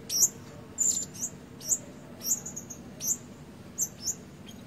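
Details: Caged decoy blue-crowned hanging parrot with a red breast, still developing its full voice: thin, piercing high chirps, often doubled, repeated irregularly about once a second against soft background noise.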